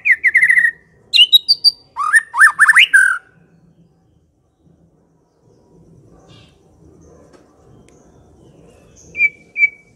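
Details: Lure song of a white-rumped shama: a burst of rapid whistled notes followed by loud slurred phrases over three seconds, then a long near-silent stretch with faint murmur and two short whistles at the close.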